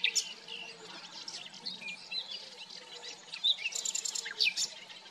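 Common nightingale song: varied, high whistles and chirps, then a burst of rapid, rattling trills, with soft background birdsong throughout.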